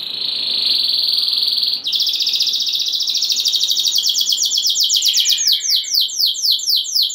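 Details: Canary in 'ngeroll nembak' song for stirring other canaries; a long, level, high whistle, then a quick rolling trill that speeds into crisp repeated downslurred notes.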